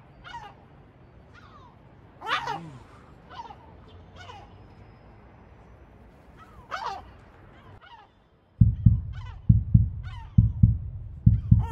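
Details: Sea gulls in Batumi giving scattered sharp, falling cries, one louder drawn-out call early on; the last few seconds are overlaid by loud repeated low thumps.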